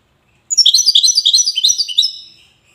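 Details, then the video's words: Widani song of a European goldfinch from Safi, Morocco: a lively string of sharp, tinkling notes and slurred chirps running for about one and a half seconds before a soft, buzzy tail. "حسون ويداني"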